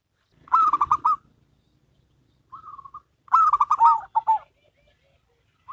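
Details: Local and crossbred zebra doves sing a duet. Two full, stuttering coo phrases are answered by a softer, shorter trill between them, and each phrase has a fast, bubbling rhythm.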